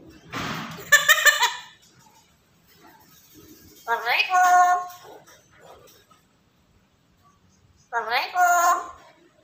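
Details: Black-capped lory, a keen talker, producing three harsh, speech-like utterances with strong overtones, each about a second long, separated by quiet gaps in a small room.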